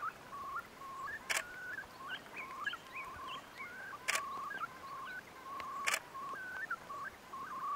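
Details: Courting Far Eastern curlews, male following female, on the Bira River in the Jewish Autonomous Region of Russia, early May 2016: a rapid run of clipped, upslurred whistles with a few higher notes, punctuated by three loud camera clicks.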